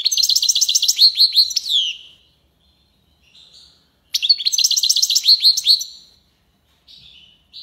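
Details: European goldfinch singing tiwawati and lipassade phrases: a fast burst of high, tinkling, buzzy notes repeated rapidly for nearly two seconds, a quiet pause, then a second matching burst and a few soft trailing chirps.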